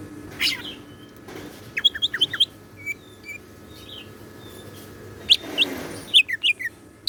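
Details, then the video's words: A caged greater green leafbird delivers a varied song filled with 'isian siklon' mimicry: sharp chips, short slurred whistles and twittering bursts, with brief pauses between phrases and a soft background hum. "BURUNG CUCAK IJO GACOR ISIAN SIKLON"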